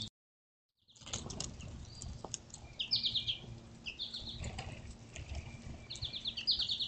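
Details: Outdoor birds sing where squirrels and birds pick at fallen seeds. After a moment of silence, short high buzzy trills repeat three times at intervals of about a second or two, amid scattered chirps and soft tapping.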